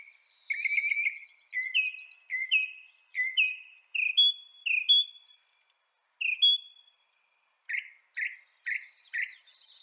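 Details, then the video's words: Northern mockingbird with varied whistled phrases, each given two or three times at roughly two per second and shifting in pitch, ending in a series of short, emphatic chirps. "Veja o canto do pássaro, ave zombeteira"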